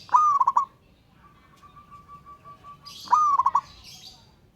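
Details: Wild-type local zebra dove calling a rival: two rapid rolling coo phrases about three seconds apart, a long whistled lead note then clipped stutters, separated by a faint steady thin tone and some high chirps.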